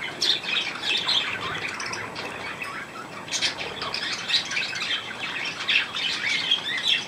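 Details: Chickens recorded on 15 January 2018, with a busy run of short, high chirps and squawks that rise and fall irregularly, and a brief flutter partway through over constant background hiss.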